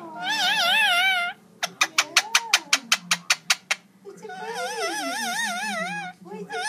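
An Indian ringneck parakeet gives wavering, warbled high tones, then a quick run of about ten sharp clicks, then more warbling. A faint human voice sits underneath.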